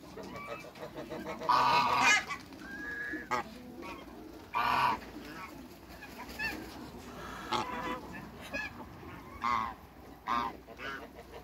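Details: Backyard African geese, a pair kept among other waterbirds, give scattered nasal honks. Two stand out clearly against steady farmyard background noise, with fainter calls in between.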